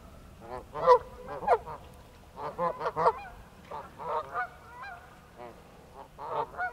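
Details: Alarmed Canada goose pair on ice gives scattered nasal honks in short clusters, some louder and some softer, separated by brief quiet gaps against a faint background hiss.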